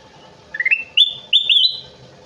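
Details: Kutilang emas (golden bulbul) in spirited song: a stepped rising note, then two strong whistled phrases held level and ending a little higher.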